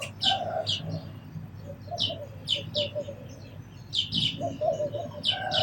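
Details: Sparrows chirping: short, bright chirps given in quick pairs and clusters across several seconds, with lower warbling notes from another bird underneath and a faint low background rumble.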